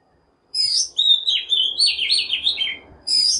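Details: Oriental magpie-robin lure song, used to call wild birds and spur morning singing: a half-second silence, then bright, sweet, fast-changing whistled phrases with buzzy twitters that run almost unbroken for about two and a half seconds, then resume at the end.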